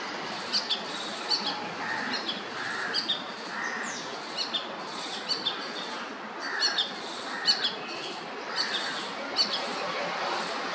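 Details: Solitary Ashy drongo on a residential terrace in Pune, Maharashtra, India, February 2023, giving sharp, metallic chirps and short ringing notes in quick irregular bursts over a steady hiss of background bird chatter.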